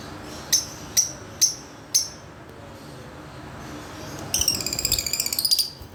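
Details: Yellow Fischer's lovebirds playing in a cage give four sharp, shrill chirps about half a second apart, then a fast chattering burst of high twittering notes.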